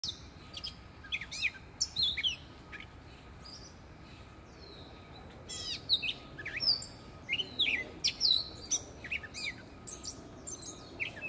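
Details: A gray catbird singing from a tree in Prospect Park, Brooklyn, gives a halting jumble of squeaky, scratchy high notes and short whistled phrases, with bursts in quick succession over a soft background hum.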